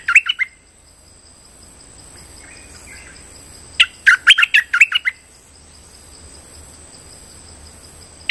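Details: Streak-eared bulbul call for luring birds into traps: a short chirp pair, then one dense burst of about eight scratchy, bouncing notes, with a thin constant high hum behind.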